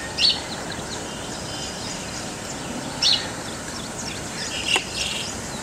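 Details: A yellow-wattled lapwing gives three short, sharp, high-pitched calls spaced a second or two apart, over a steady hiss of wind or distant traffic.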